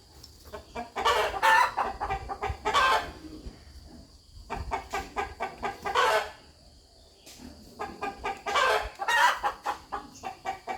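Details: Farmyard rooster clucking: a near-continuous patter of short soft clucks broken by louder, harsher bursts every few seconds, with a brief lull midway.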